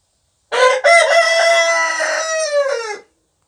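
An Orpington rooster gives one full crow lasting about two and a half seconds: a brief opening note, then a long, harmonically rich, slightly falling cry.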